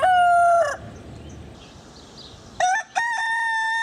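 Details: Crowing rooster: the loud tail of one crow fades into a quiet gap, then another crow begins with short rising syllables and settles into a steady held note.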